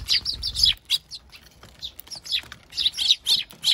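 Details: Adult Eurasian tree sparrows feeding their chicks at a bird feeder: loud, sharp chirps in clusters, a pause of about a second mid-way, then regular chirping resuming, with a low rumble at the start.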